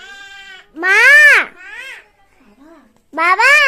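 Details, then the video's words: Talking common myna imitating human speech: loud, nasal, speech-like syllables, each arching up then down in pitch, with a quieter, flatter sound before them and a brief low murmur between. "Myna Bird Talking | Bird Talking Like Human"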